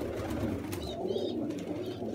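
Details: Domestic pigeons at a drinker in the morning give low, soft cooing through the short stretch, with faint higher chirps from other small birds above it and a dull indoor hum.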